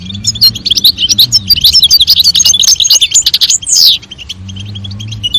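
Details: European goldfinch pair, the male's song and the female's call meant to stimulate mating: dense, fast liquid twittering with buzzy trills for four seconds, ending in a descending sweep, with a faint low hum beneath.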